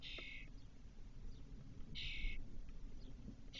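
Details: The eldest Spotless starling chick, back in its cork-oak nest box in Doñana National Park four hours after first leaving, 2023. Two broad, grating bursts about two seconds apart and the start of a third, with faint ticks between.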